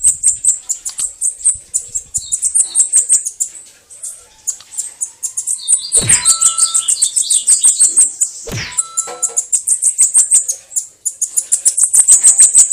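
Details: Bananaquit singing a canto de foguear, known as sibite or caga-sebo: a long, insistent series of piercing high notes, about three per second, broken twice by sudden sweeping noises and a brief steady tone.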